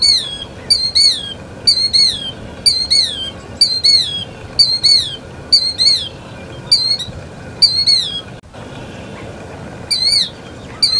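A Killdeer gives shrill, high, down-slurred kill-dee notes, roughly one per second, in a steady series over a low background hum.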